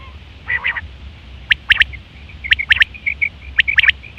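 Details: Common quail, September 2023, sound used for hunting and mating: a low rasping note, then crisp three-note bursts repeated roughly every second, with faint soft piping between phrases.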